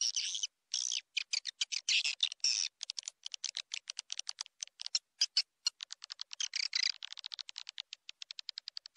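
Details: Swiftlet; call; attracting swiftlets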